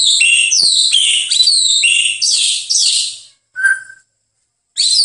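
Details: Master training recording of a White-rumped shama: a fast, varied stream of high warbled and whistled notes, then a short lower whistled note after a pause, and the song resumes.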